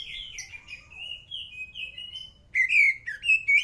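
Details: Song of a white-rumped shama, long smooth whistled notes gliding between pitches, then louder, brighter looping phrases toward the end, over a faint low rumble.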